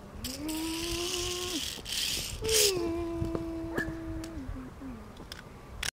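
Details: Black-throated loon recorded at Vlachy, Liptovský Mikuláš, Slovakia: two long, steady, mournful wailing notes, each held for over a second with a slight rise and sudden drop, followed by short fading notes, against windy hiss and low rumble.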